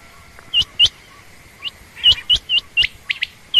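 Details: High, sharp chirping from a female quail, common or rain quail, in short hooked notes, some paired, spaced unevenly over a few seconds. Faint low whistles lie underneath.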